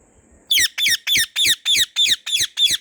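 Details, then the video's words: White ringneck parrot calling in a garden: a run of eight sharp raspy shrieks, fast and regular, each harsh note sliding downward. "White Ringneck Parrot Natural Sounds | Parrot Natural Calls"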